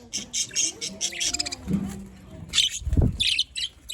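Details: Pet budgerigars from Larkana, Sindh, mixing bursts of high chirps with softer warbled notes, plus a brief low thump partway through.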